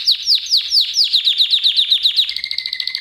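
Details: Canary song used as a lesson for other canaries: a run of about a dozen loud downward-sweeping chips, evenly spaced about five per second, then a quick rattling trill over a steady lower whistled tone.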